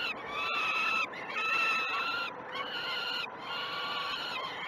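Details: Peregrine falcon chicks begging during one of the first two feeds of the day on 12 June 2018, nest cam at Great Spirit Bluff: drawn-out harmonic wailing screams, each about a second long, repeated almost continuously.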